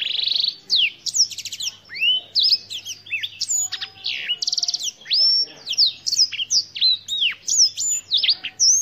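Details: Black-throated canary, native to Africa, singing a rich, rapid medley of high sweeping whistles, buzzy rattles and chirps, run together almost without pause.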